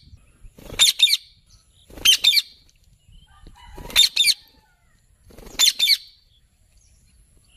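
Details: A ringneck parrot gives loud, harsh double squawks, each pair of screeches repeated about every one and a half seconds against a quiet background.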